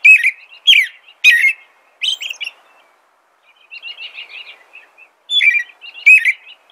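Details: American robin: a group of three loud whistled notes, a softer trill-like warble after a short silence, then three more caroling phrases.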